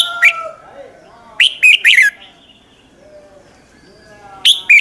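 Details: A red-whiskered bulbul's morning song, used to stimulate other bulbuls to sing in contest. Three loud, sharp phrases of clipped whistled notes, with softer low warbling and faint background calls in the gaps.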